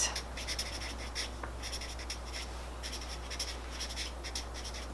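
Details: Pen or pencil scratching on paper in a small indoor room, with short, repeated strokes over a steady low electrical hum and no animal voices.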